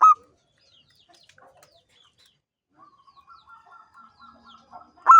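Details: Local zebra dove (perkutut), a champion singer in ngancing style: brief loud coos at the start and end, and between them a soft, regularly spaced series of low coos from a distant dove.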